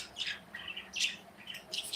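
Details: Budgerigars kept as pets in an indoor aviary; soft, quick high chirps and twittering notes follow one another in an uneven chatter, fairly quiet overall.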